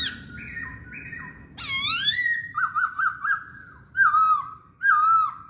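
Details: Chinese hwamei song: level whistled notes, then a rich rising phrase, a quick triple wavering whistle, and two separate loud slurred phrases with high overtones.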